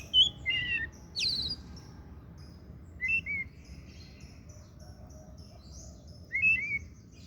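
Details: Oriental magpie-robin song, kacer daput: short phrases of slurred whistles and a sharp descending note, then two more brief warbled groups after pauses, with faint high chatter and low hum in between.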